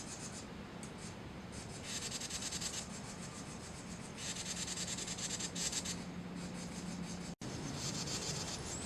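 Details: Carolina wren (Thryothorus ludovicianus) giving its warning, alarm or stress call, possibly in response to pishing: harsh, hissing rasps in bursts of a second or so, each made of rapid scratchy pulses, over a low steady hum.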